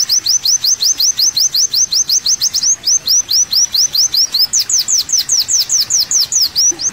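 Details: Olive-backed sunbird (kolibri wulung) on a masteran tutoring recording: crisp rising high chips repeated steadily, around three per second, shifting slightly higher midway, with a clean quiet background.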